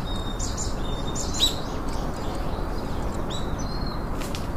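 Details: Chopi blackbird in the wild, giving short high chirps and a thin whistled note across a few seconds above a steady low rumble of background noise.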